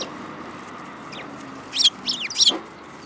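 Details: Group of sparrows, March 2018: a quiet start, then a quick cluster of three or four sharp, high chirps near the end, with soft background hiss.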